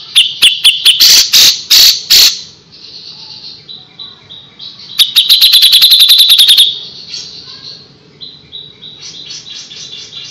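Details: Grey-cheeked Bulbul singing actively, recorded as a tutor track for training birds: bursts of rapid, sharp chattering notes at a high pitch, a second fast run midway, then softer trailing notes.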